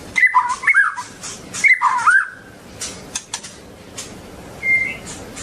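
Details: White-rumped shama with a long tail giving short, loud whistled phrases with dipping and rising slurs, then a pause filled with faint clicks and a single brief high whistle near the end.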